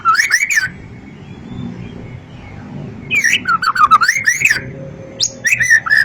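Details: White-rumped shama, a long-tailed bird, giving short bursts of slurred whistles and sharp clicks separated by a quiet gap of about two and a half seconds, with faint background hum.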